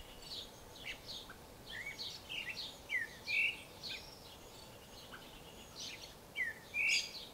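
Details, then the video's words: Creamy-bellied thrush singing spaced phrases of thin high notes and clear downslurred whistles, the louder whistled elements standing out about every three seconds against soft background noise. "sabiá-poca (Turdus amaurochalinus)"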